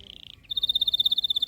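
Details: Canary song aimed at making lazy canaries sing: a short high warble followed by a fast, steady, buzzy trill of evenly repeated notes.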